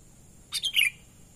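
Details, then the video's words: Natural call of a sooty-headed bulbul used as a lure for wild birds, a single brief three-note phrase, a crisp chip leading into two bubbly, descending whistled notes, with constant high-pitched background hiss. "pikat burung kutilang suara alami"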